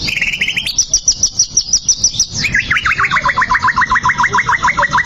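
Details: Song of a fighting white-rumped shama, played to provoke a rival: a rapid series of high clipped notes, then a long run of quick repeated downslurred whistles, about three per second, evenly spaced.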